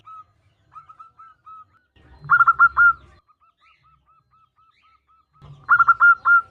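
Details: Female zebra dove calling the male: faint short coos repeated between two louder bouts of quick, rolling, trilled cooing.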